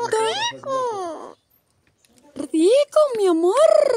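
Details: Talking parrot in Argentina that says words such as mi amor, rico and frío: two bursts of speech-like voiced sounds with strongly gliding pitch, separated by a short silent pause.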